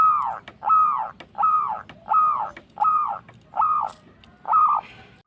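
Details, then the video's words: Local zebra dove singing energetically, used to prompt other birds to sing: seven arched, tonal cooing notes, each rising then falling, repeated about every two-thirds of a second, with faint low background rumble. "Manggung Bekur maXimal Perkutut Lokal Gacor menarik bunyi"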